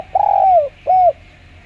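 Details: Clear-voiced spotted dove call, played as a lure: a long smooth low coo, then a pause and a shorter arched coo, over a faint steady hum.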